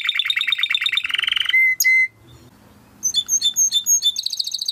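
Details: Timbrado canary training song: fast rattling trill of repeated notes, then two steady whistled tones, a short pause, and bright chopped high notes repeating several times a second.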